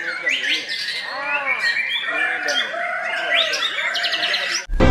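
White-rumped shama pours out a rich, varied song of fast chirps, sharp whistles and looping mellow phrases. It ends in a loud thump.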